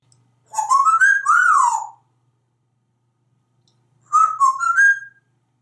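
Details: A pet African grey parrot, hatched 1997 and living in Texas, chattering before dinner, gives two clear, melodic whistled phrases, each rising and falling and about a second long, separated by a short pause.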